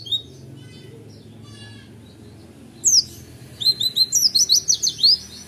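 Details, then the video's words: After a quiet start with faint notes, an owned Oriental white-eye launches into roll tembak song: a fast, even string of high, bright chirps closing the recording. "PLECI DEWA JUDI SI ROLL TEMBAK"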